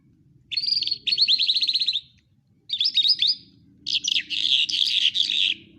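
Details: Lark singing in Quetta: a rapid rattling trill of high chirps, a short pause, a brief twittering burst, then a dense, scratchy warbled phrase; faint low rumble underneath.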